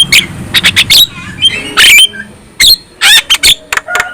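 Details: Black-winged myna song meant to rouse other black-winged mynas: clipped, high squeaks and chips, a brief wheezy whistle, then a quick run of sharp clicks.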